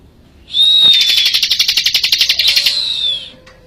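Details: Bar-winged prinia from Majalengka, singing vigorously for use as a training tutor: a thin, high whistled note slides slightly downward, then runs into a loud, buzzy, rapidly pulsed trill lasting about two seconds before fading.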